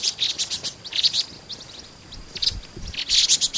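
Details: Vinous-throated parrotbills in Pingtung City, Taiwan, 16 March 2014: short clusters of high, buzzy chips separated by brief quiet gaps.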